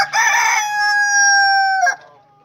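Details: Crowing rooster: a harsh, rough opening rolls into a sustained, bright, even tone for over a second before ending with a quick downward break.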